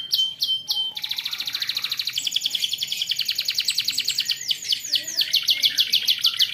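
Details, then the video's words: A young canary sings as training material for other young canaries, opening with a few sharp notes, then a long, very fast, even trill of high chirps that changes tempo partway. "BUAT KENARI PAUD LEBIH RAJIN BUNYI"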